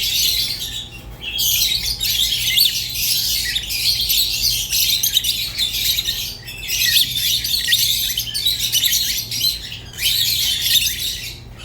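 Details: Rosy-faced and Fischer's lovebirds chattering in a dense, continuous stream of high, scratchy chirps and squeaks, with brief pauses near one, six and ten seconds. A low steady hum sits underneath.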